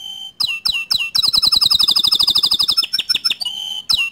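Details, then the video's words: Green canary singing as a master tutor song, a run of sharp rising whistles leading into a fast, even trill of bright notes around two to five kilohertz, then broken chips and a final whistle. "Kicau Kenari Hijau Botol Untuk Masteran kenari Paud & Bahan"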